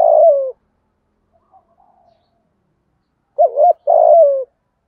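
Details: Spotted dove coo meant to get other doves cooing: the tail of a long, falling coo, a quiet stretch, then a fresh phrase of a wavering double note and a drawn-out, descending coo.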